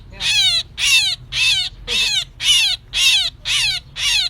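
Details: Myna calling as a trapping lure: a rapid series of eight harsh, rasping bursts with falling overtone streaks, evenly spaced about half a second apart.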